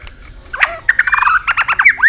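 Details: White-rumped shama singing many varied notes and switching voices while flicking its tail continuously; after a quiet start, a run of short clipped whistles and warbled notes, rapid and chattering, ending in a rising slur.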